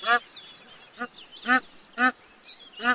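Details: Bar-headed goose giving five short nasal honks about half a second to a second apart, with faint thin whistled bird calls between them.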